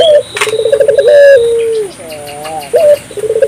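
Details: Lure recording of an African collared dove in full voice, meant to set other doves calling: fast rolling pulsed coo sliding into a drawn-out descending note, followed by a brief held note and another rolling burst.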